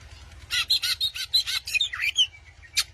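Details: White-rumped shama singing to draw out a rival gives a quick burst of rasping, buzzy notes, then a falling whistled slur and a short chirp, above a faint low hum.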